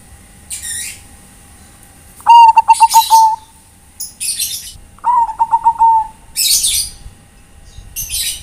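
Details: Zebra dove of the Bangkok type calling to its companions: two rolling bursts of quick, low, pulsing coos, each about a second long and separated by a pause, with short hissy high chirps scattered between them.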